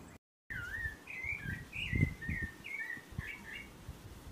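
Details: An orange-backed troupial bathing at a backyard bird drinking fountain gives a run of rich, mid-pitched whistled phrases, a couple each second, over low rumbling background noise.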